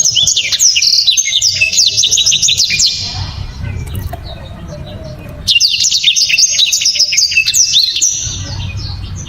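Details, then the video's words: Blackthroat song, praised as loud, sharp and very clear with dense, tightly packed phrases: two bursts of rapid high twittering and trilled notes, each about three seconds long, separated by a quieter pause, over a low background hum. "BURUNG blacktrod‼️ gila‼️ penuh power full"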